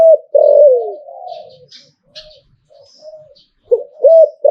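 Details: Hlio-tan style song of a zebra dove in Thailand. It opens with a loud, long descending coo, then soft fluttering coos, and ends with rolling looped notes. Faint high chirps are scattered through.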